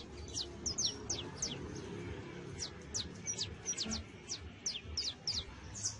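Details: Fledgling saffron finch trying out its first songs: sharp, high downward-slurred chips delivered in a loose, irregular string, some doubled, over a soft low hum.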